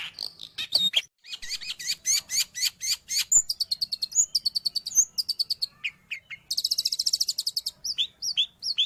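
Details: Long-tailed shrike song of the kind used to train pet birds or lure wild ones: rapid series of sharp high chips, then slurred whistles, a fast buzzy trill and more quick upswept notes, without other sounds.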